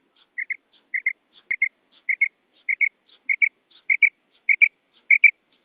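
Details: Uzbek female quail, a hunting lure call: evenly spaced paired notes, soft and slightly buzzy, repeated about every 0.6 seconds, ten pairs in a quiet setting with faint higher ticks between.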